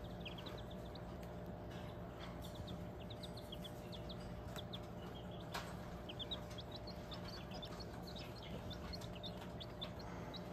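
Bantam chicks peep in quick, high, slightly falling chirps, several at once, over a steady low mechanical hum and a faint high whine.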